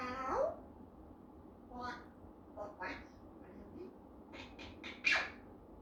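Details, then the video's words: A one-year-old Eclectus parrot says its first few words, mimicking speech in a nasal, voice-like tone: a string of short word-like syllables ending on a louder, sharper note. "Eclectus parrot talking"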